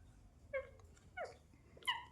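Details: A pet ringneck parakeet gives three short, nasal chirps, each about half a second apart, sliding in pitch, in a quiet indoor room.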